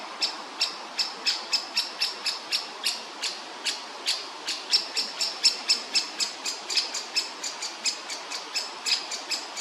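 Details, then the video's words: Baby woodpecker chick, soon to leave the nest, begs for food with a steady stream of short, raspy, high-pitched notes, about four each second, little else in background. "woodpecker chick waiting for food"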